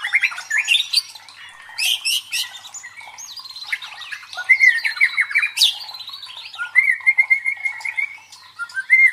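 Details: White-rumped shama song played to stir competition birds to fight. Loud, harsh high bursts and swooping whistles lead into a fast, even trill of repeated notes, then a final rising whistle.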